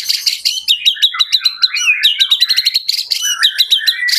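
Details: White-rumped shama in Jakarta singing a continuous run of quick, sharply accented notes, whistled slurs and rapid high ticks repeated several times per second, with no other sounds.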